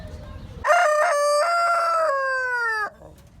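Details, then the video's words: A rooster gives a single loud crow lasting about two seconds, starting with choppy notes then a long, slowly falling drawn-out note. "Roosters Crowing"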